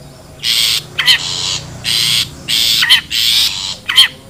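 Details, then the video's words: Long-tailed shrike lure sound from wild birds: rough, breathy rasps alternate regularly with sharp, wavering nasal yelps. Roughly three rasp-yelp pairs over four seconds. "SUARA ASLI PIKAT CENDET,PENTET ALAM LIAR"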